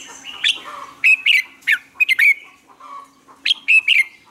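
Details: A red-whiskered bulbul sings lively morning phrases meant as lure sounds for training other birds: rapid sharp chirps and bright whistles in quick groups of two or three, with only brief pauses between them.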